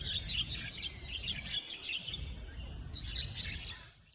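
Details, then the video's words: Javan mynas in a fight that began as a duel between two birds before more rushed in, chasing and jostling: a harsh, busy jumble of aggressive chattering and squeaky calls from several birds at once, over a low background rumble. "Javan Mynas Birds Go WILD & Turn This Duel Into a CHAOTIC Gang Fight!"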